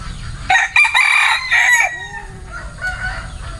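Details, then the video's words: A bantam rooster crows once, loud and harsh, for about one and a half seconds: a strained, buzzy burst with a drawn-out fading end. Softer low notes follow over a steady low rumble. "Tiếng Gà trống tre gáy"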